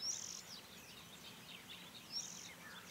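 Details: Little ringed plover during mating ritual gives two short, high, thin piping notes about two seconds apart, over faint background twittering and soft outdoor noise.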